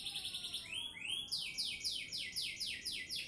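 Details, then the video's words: Canary in Sidoarjo, Indonesia singing: high trill, two rising slurred whistles, then a run of loud downward-sweeping notes repeated about four per second. "Kicauan Burung Kenari"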